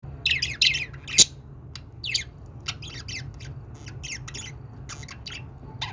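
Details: Budgerigars giving happy sounds: quick high squeaky chirps and scratchy warbles in irregular bursts, sharpest near the start and around the second mark, over a steady low indoor hum.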